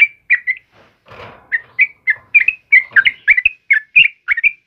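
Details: Morning song of a sooty-headed bulbul: lively chirpy whistled phrases in rapid succession, some notes rising, others dipping, with one short rustle of background noise early on.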